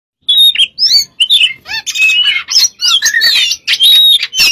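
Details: Oriental magpie-robin (kacer) in persistent song, used as a lure to prompt other birds: rapid varied phrases of sharp whistles, rising and falling slurs and short chattering notes in quick succession, with no other sounds.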